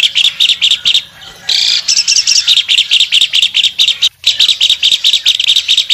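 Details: Albino Asian pied starling singing energetically with wings spread: rapid, repeated chattering and squeaky notes in steady bursts, with a brief pause midway, then the busy phrasing resumes.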